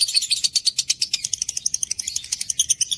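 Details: Rapid ngekek chatter from a lovebird: dense, shrill, scratchy notes tumbling quickly and slightly unevenly for three seconds.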